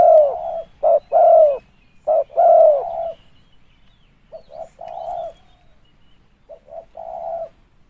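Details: Spotted dove heard as a lure call: a loud opening of short notes and long arched coos, then two quieter repeats of the phrase, each ending in a sustained low coo.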